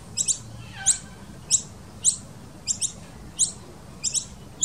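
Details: Noisy Miner nestlings being fed by adults at a nest in a tree fern in a garden give thin, very high chips, singly or in quick pairs, about every half second, over a low background rumble.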